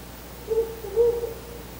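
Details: A male Ural owl visiting the nest before dawn, around 4 a.m. on 4 August 2020, gives two deep, mellow hoots, a short note then a longer one half a second later, over quiet night hiss.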